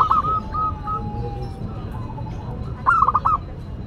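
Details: Local Zebra dove singing in a style described as classic and unique. Short, soft coos come in a few spaced notes, then a quick stuttering burst of rolling notes near the end, over low background rumble.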